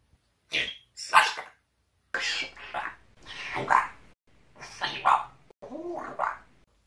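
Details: Indoor pet parrot swearing at its owner, a string of gravelly, speech-like squawks in uneven bursts, five or six harsh phrases separated by brief pauses.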